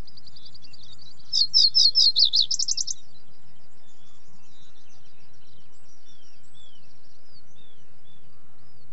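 Common reed bunting gives one brief song: a few thin high notes, then quick sharp descending chips ending in a buzzy trill. Faint distant birdsong and low rumble follow.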